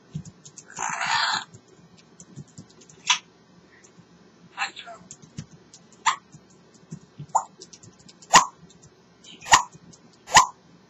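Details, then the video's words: Pet African grey parrot talking away and having a great time: a loud, broad, speech-like burst, then a run of sharp clicks and short voiced syllables roughly every second, against faint room hum. "the African Grey Parrot talking away having a great time"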